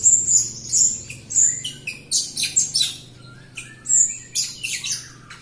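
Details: Jalak Rio myna singing vigorously, used to prompt quiet or untrained Jalak Rio birds. Rapid scratchy phrases mixed with piercing high whistles repeat densely throughout, with barely a pause between them.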